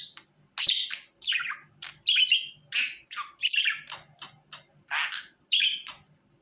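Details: Pet budgie calling to the hand, giving a steady series of short, scratchy chirps and squawks, about two each second, with brief silent gaps and some notes falling in pitch.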